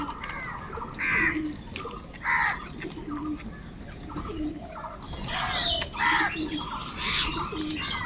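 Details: Rough, nasal caws come from crows fighting for food, sharp single calls roughly every second, with fainter answering calls and a low background murmur.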